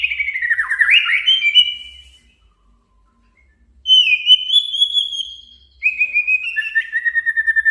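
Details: A male white-rumped shama issues a challenge song to make a rival excited and sing. Fluid whistles dip and rise, a long pause follows, then a level whistle and a throbbing repeated whistled trill.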